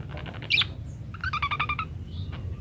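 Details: Parakeet song from a tutoring recording meant for munias: a sharp squeaky note, then a quick run of clipped, evenly spaced chirps, over low background hum.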